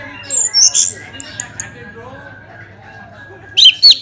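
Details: Orange-headed thrush song used to prompt other birds to sing: a few high whistled and squeaky notes early on, a quiet stretch, then a loud pair of sharp slurred whistles at the end.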